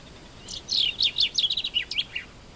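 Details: A common chaffinch in Morocco sings one bright, rattling phrase of about a second and a half, speeding up and falling in pitch, then ending in a brisk flourish against a quiet background hiss.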